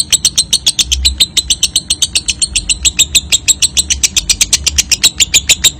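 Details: Young lovebird giving the ngekek trill, played as a lure to get other lovebirds trilling often: a fast, unbroken chatter of shrill, scratchy clicks, about eight a second, over a dull low rumble.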